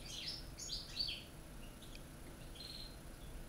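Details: Caged European goldfinch, Corsican song style, one of three birds from Corsica, North Africa and Spain, gives a quick burst of sharp high chirps and twittering notes, then falls quiet apart from one faint phrase over low background hum.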